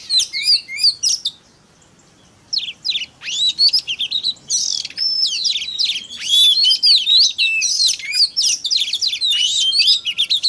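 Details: Oriental magpie-robin (kacer) lure song used to stir other magpie-robins into singing: rapid, varied high whistles and sharp chirps in dense bursts, a pause of about a second, then sustained, tumbling phrases.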